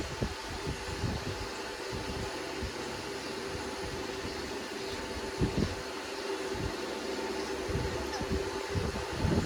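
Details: Steady broadband mechanical hum, like a fan or passing traffic, with scattered low thumps and no distinct calls.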